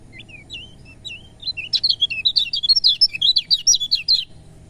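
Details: Lemon-bellied white-eye singing, used to encourage reluctant birds to sing: a few spaced, slurred whistles build into a rapid, lively twittering chatter of high, varied notes over a low background hum.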